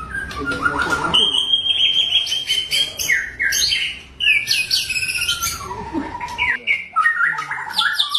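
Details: A white-rumped shama sings in Bahorok forest, in the wild: a low trilled opening, then a sustained high rapid trill, followed by varied loud chips, whistles and quick broken phrases.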